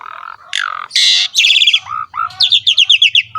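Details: Javan pied starling in full ngerek song: a harsh nasal squawk, a broad scratchy burst, then a chain of quick descending whistled chirps over a soft low hum.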